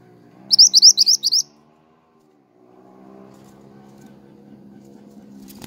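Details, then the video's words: Pied triller in full song, for luring and master training of songbirds: a fast string of six high rising chirped notes lasting under a second, followed by a low humming background. "BURUNG MANTENAN GACOR"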